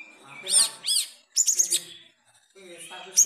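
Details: Long-tailed shrike in Jepara performing its kapas tembak mimicry; two arched, nasal notes, then a rapid burst of sharp chattering notes, a brief silence, and a final rising squeaky note.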